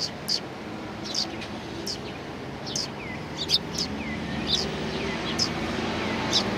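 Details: Several sparrows greet visitors at a Tenmangu shrine, 7 January 2019: brief sharp chirps spaced irregularly about once a second, with softer downward-curving notes in the middle and a constant low outdoor rumble.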